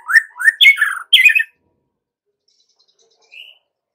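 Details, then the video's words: Short burst of white-rumped shama song, used to lure young forest-caught birds into singing: four quick loud chattery phrases, then silence and one faint whistle. "Pancingan Murai Batu MUDA HUTAN dan PASTOL agar GACOR NGEPLONG"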